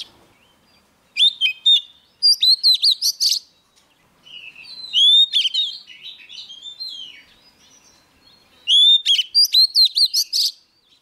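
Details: Oriental magpie-robin, a young bird, singing hard while a wild bird approaches: loud clusters of quick, clipped whistles alternate with softer, sweeping warbled notes across several phrases, over a quiet background.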